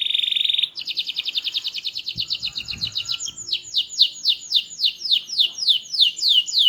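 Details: Small-bodied canary singing hard with a loud, melodious, varied voice: a buzzy roll, a fast pulsed trill, then about a dozen downward-slurred whistles repeated steadily; a faint low thump mid-song.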